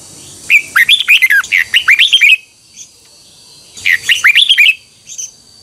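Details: Red-whiskered bulbul singing its morning training song, twisted double-voice style, meant to teach other birds: a long run of about twelve quick, tumbling, liquid whistles, a pause, a shorter similar burst, then a single faint note.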